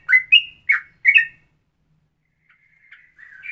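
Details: Straw-headed bulbul-style ropelan song variation, likened to a mix of straw-headed bulbul and sooty-headed bulbul phrases: four loud, clear whistled chirps in the first second and a half, then a pause and soft, rising whistled notes.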